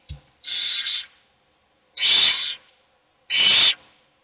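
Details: Hungry owl chicks begging for food while only one is fed; three harsh, rasping hiss bursts of about half a second each, spaced irregularly, with quiet between them.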